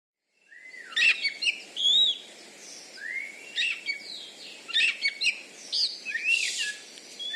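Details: Champion contest Oriental magpie-robin (kacer) kept in Bengkulu, Indonesia, noted for a loud voice and special fighting style called membalon; bursts of sharp whistled and chattering phrases, separated by short pauses, over faint low background hiss.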